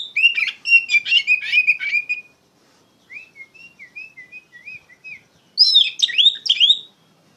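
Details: Oriental magpie-robin singing in the loud, continuous ngeplong style, used as a lure to tutor untrained birds: dense bursts of high, varied whistles and chatter, a quieter run of short rising-falling whistled notes, then another bright rapid burst.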